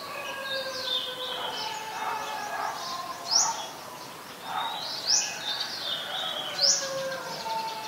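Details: Three quick, piercing upslurred chips, spaced about one and a half seconds apart, from an Olive-backed sunbird in mangrove forest at the Sirinath Rajini centre, with softer lower whistles of other birds underneath.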